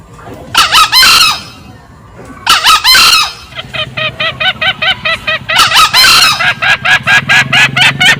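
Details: Male and female green junglefowl in a loud lure recording: two harsh, hoarse crowing bursts, then a fast run of short, sharp cackling notes, about three per second, over a steady low hum.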